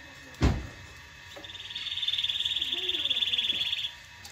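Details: Singing canary, used to teach young birds and to stir mating: after a loud low thump near the start, a rapid buzzing trill rises in volume and rolls on for about two seconds.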